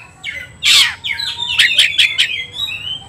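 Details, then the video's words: Oriental magpie-robin provoked to fight, singing aggressively: a rising whistle, a loud harsh rasping burst, then a quick run of sharp clipped notes and sliding clear whistles. "kacer gacor tarung ngobra"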